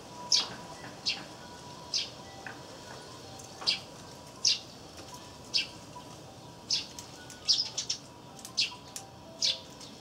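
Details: Eurasian tree sparrows chirping actively near a wreath-shaped peanut feeder where a great tit feeds, recorded 3 April 2013: short, bright, scattered chirps at irregular intervals, about a dozen over ten seconds, over a low steady background hiss.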